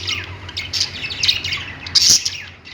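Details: Several budgerigars perched together in a pet store give busy, high warbling chirps and harsh squawks, peaking in a loud burst around two seconds, with a low electrical hum beneath.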